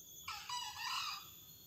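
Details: A single wild green junglefowl rooster near a house gives one hoarse, shrill crow, a raspy burst of about a second, against a quiet background.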